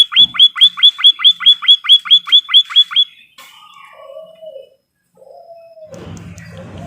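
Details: Caged white-headed munia on a training recording gives a rapid, even series of twelve high downward-sweeping chips. Quieter low drawn notes and a faint low rumble follow.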